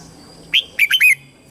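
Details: Red-whiskered bulbul kept as a lure bird, singing to call wild birds to fight: a single upslurred whistle followed by three rapid, bright, bubbling notes.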